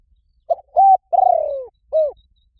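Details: Lure recording of a spotted dove cooing. A brief first note is followed by a sustained flat coo, then a stuttering, vibrating note gliding lower, and a last short drooping coo over a quiet background.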